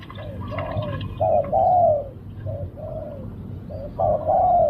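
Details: A spotted dove in a decoy-luring session coos in quick succession, each phrase a short clipped note and then a longer, smooth, falling coo. Background birds chirp faintly, and there is a low rumble throughout.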